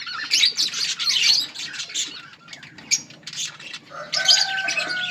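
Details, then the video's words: Colony of budgies eating, overlapping bright chirps and scratchy warbling in bursts, a short lull midway, then a sustained tone joins the renewed chatter. "Budgies birds eating and enjoying in budgies colony budgies parrot chirping sounds"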